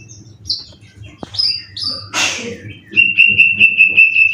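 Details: Contest-trained white-rumped shama from Indonesia with cililin-style song material. Scattered high whistles and a harsh rasping burst lead into a rapid, evenly repeated run of identical piping notes.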